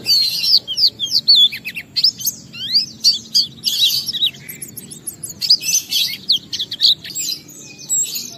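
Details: Lively Oriental white-eye song, meant to provoke other white-eyes to sing, rushing through dense high warbles and twisting whistled slurs, bursts rising and falling in loudness with scarcely a break across the whole stretch.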